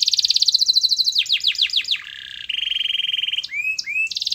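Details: Canary singing as a lure to prompt silent canaries to respond: loud fast trills of repeated notes, then rapid downslurred sweeps, a buzzy steady stretch and rising whistled slurs.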